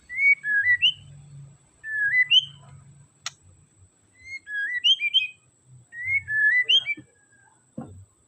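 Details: White-rumped shama song used to stir up a shama that sings too little: three bursts of clear whistled notes sliding between high and mid pitch, each phrase about a second long, with a faint low hum beneath.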